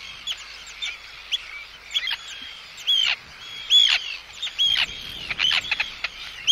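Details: Near recording of Arctic terns giving anxiety and threat calls toward an intruder, alongside chick calls: loud grating kee-arr shrieks about once a second, interspersed with thin high whistles and soft clicks.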